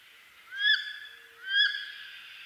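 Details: Eastern North American wood duck giving two upslurred squealing calls, each rising sharply then ending, spaced just under a second apart, over quiet background.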